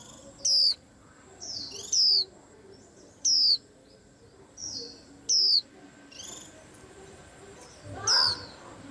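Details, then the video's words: White-eye said to rouse a whole rack of birds: six sharp, high, falling whistles at uneven intervals, mixed with quieter chirps, and a brief burst of broader rustling near the end. "Tiếng Chim Khuyên Làm náo loạn cả giàn"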